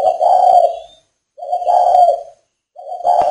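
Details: Cooing male spotted dove from northern Vietnam, recorded in rainy weather: three deep, hollow coos of roughly three-quarters of a second each, separated by brief silences.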